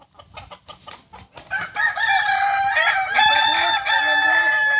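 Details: Kukuak balenggek chicken at a practice singing contest final, Ampang Kualo, Kota Solok, Sunday 8 September 2024; soft knocks lead into a loud, sustained crow with rich overtones and short rising glides from a second bird beneath.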